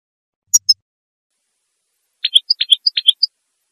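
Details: Female European goldfinch singing during the breeding season to stimulate males to sing and mate: a rapid series of short liquid twittering notes, about eight in under a second, after two thin isolated chips.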